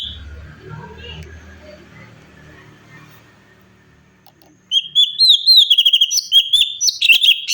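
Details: Song of a cucak cungkok bulbul, kept as a training recording for songbirds: after several seconds of quiet low background noise, a fast burst of high, sweet, warbled notes begins and continues rapidly to the end.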